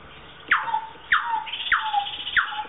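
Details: Four harsh, downward-sweeping calls, each sliding into a short flat tone, about every 0.6 seconds, from a South Island kaka in a public aviary at Dunedin Botanic Gardens, New Zealand, while swinging on a chain.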